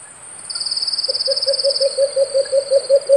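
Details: White-eared brown dove calling in the field: a steady run of short, low hollow hoots, about three a second, growing louder. Constant high insect buzzing continues behind.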